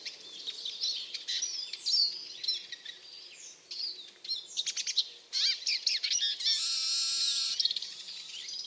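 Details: Eurasian siskin (Spinus spinus) giving a rapid, high twittering of chirps and trills, with brief drawn-out notes, then a long strained buzzy wheeze near the end; little else is heard beyond faint background.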